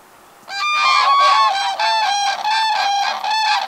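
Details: Common cranes in summer at a lake shore, part of a gathering of around 100 non-breeding birds or families arriving to spend the night, giving loud, continuous trumpeting calls with rich overtones that overlap and pulse for three seconds.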